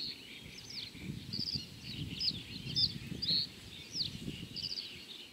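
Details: Common reed bunting at Joachimów-Mogiły reservoir on 27 May 2017 gives short, high chirped notes, a few each second, over a steady low rumble of wind or distant traffic.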